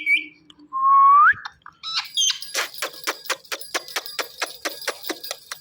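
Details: Ringneck parrot talking: a short high whistle, then a clear rising whistled note, followed by a fast run of sharp clicking and popping sounds repeated about twice a second.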